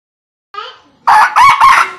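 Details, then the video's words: Young red junglefowl crowing: a faint harmonic note, then three loud, harsh, broken bursts in quick succession. "Tiếng gà rừng tơ gáy.(suab me nyuam lâu qaib qug qua)"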